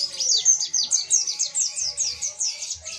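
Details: Mountain white-eye singing a tembakan burst in ngalas style, a training recording: a fast string of bright, high downslurred notes repeated about every fifth of a second, clean and loud throughout.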